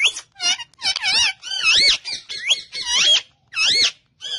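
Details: Pet rose-ringed parakeet talking in Urdu and Hindi, a run of loud, squeaky, wavering syllables sliding up and down, spoken in quick phrases with short pauses between them.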